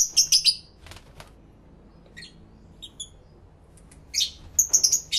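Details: Lovebirds kept as pets chatter together, recorded with two external microphones on a camera: an opening trio of squeaky high notes, softer thin peeps in the middle, then a dense burst of harsh chirps at the end.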